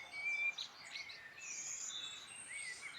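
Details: Wild birds singing in the Irish Midlands: a clear, high whistled note held briefly near the start, then scattered short chirps and thin twittering notes over a soft hiss of background noise.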